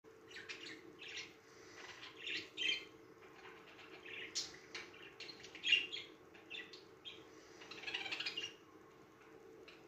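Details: Pet budgerigar excited by music, warbling in bright chirps, clicks and scratchy chatter, with a steady hum underneath.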